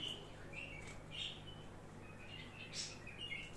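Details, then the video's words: A budgerigar mimicking a bulbul gives scattered short, bright chirps and twitters over a low steady hum. "طير حب بادجي يقلد صوت بلبل"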